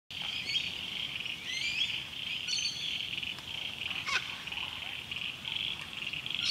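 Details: On the Illawarra escarpment, New South Wales, a wild lyrebird sings in late-August 2018 rain, the first after a long drought. Its varied run of short chirps, rising whistles and sharp notes plays over a steady high hiss of rain.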